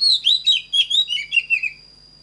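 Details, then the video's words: A single rich phrase from an Oriental magpie-robin, used for song training: about ten quick whistled notes that glide up and down, ending in a falling slurred flourish. A faint constant high tone is also present. "Chòe than || CHẤT GIỌNG CỰC PHÊ || LUYỆN CHÒE THAN HÓT GIỌNG CHUẨN"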